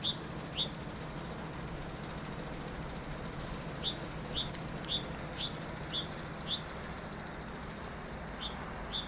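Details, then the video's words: Song of a great tit: quick paired notes, a rising swept note then a brief high one, given in bursts with short pauses between, against a low steady rumble. "Chant de Mésange charbonnière Parus major Great Tit"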